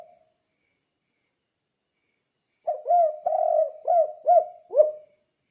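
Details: A spotted dove calls to help train other doves to sing: after a long quiet start, a single phrase of five low, slightly descending coos, the last one rising and falling more sharply. 'Kuk 2' style calling.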